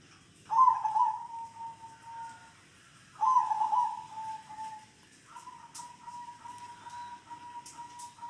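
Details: Local zebra dove in the kong singing style: two loud, bubbly trilled coos a few seconds apart that fade into softer level notes, then a long quiet sustained tone.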